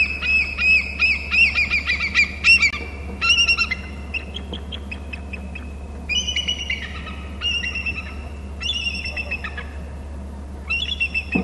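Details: Bald eagle near its nest on Hornby Island calling in repeated bouts of shrill, chattering, piping notes, some runs fast and squeaky, others shorter, all over a steady background hum from the nest camera.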